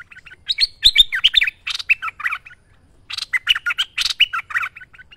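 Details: Actively singing merbah lekir bulbul, recorded as a master for training: two lively phrases of tumbling, warbled whistles and sharp chips, separated by a brief silent gap.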